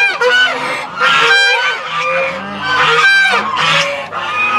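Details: Chinese geese, a domestic flock at Tobu Zoo's goose square in Japan, filmed up close in April 2021; loud harsh honks in bursts roughly every second, overlapping nasal calls from several birds, with lower grunting notes beneath.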